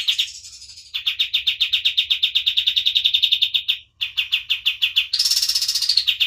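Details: A white-eye in full active song, used as a tutor recording, sings fast, high trills of rapidly repeated chipping notes in long bursts, breaking briefly before a thinner, buzzier phrase.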